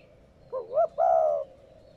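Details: One cooing phrase from a spotted dove, meant to stimulate newly kept doves to call. A wobbling two-part note leads into a drawn-out, level, soft coo, clear against near silence.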